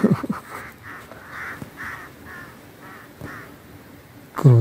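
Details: Crows teaching their young to fly, circling and apparently noticing the observer, give about six short, hoarse, nasal caws in an uneven series, with loud low thumps of wind or handling at start and end.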